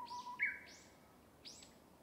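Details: Japanese bush warbler (uguisu) singing in a bamboo forest: a low held whistle leaps to a brighter note, followed by separate higher sweeping notes, with faint forest background.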